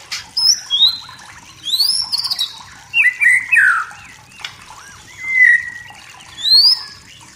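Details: Forest shama singing in the wild to provoke rival birds; scattered clear whistles, some high upslurs and a loud slurred phrase, with pauses between notes.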